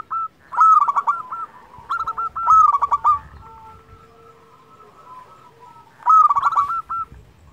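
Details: Local zebra dove singing, used to stimulate quiet doves: clear ringing phrases of quick stuttered notes and short coos, a long near-silent pause, then one more bright phrase.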